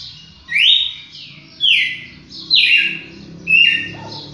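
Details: Four bold descending whistles from a champion red-cowled cardinal, delivered about once a second against a faint low hum.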